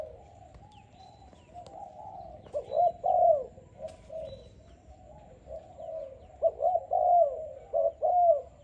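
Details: Young, selected Malaysian-type spotted dove, kept in captivity, cooing: low, mellow coos grouped into short phrases, one at about two and a half seconds and another near six and a half seconds, over a steady low background hum.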